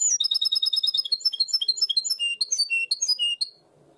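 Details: Primaveras (herrerillo) style song of a goldfinch hybrid, as valued in Barcelona: a fast even trill opening into varied ringing, whistled notes at a lively pace before falling silent.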